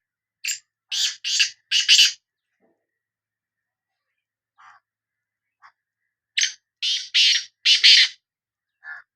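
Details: Black francolin (Sindhi kala teetar) repeating its harsh, crackling call phrase twice, roughly six seconds apart, each of four or five rasping notes, with a few faint short notes in between.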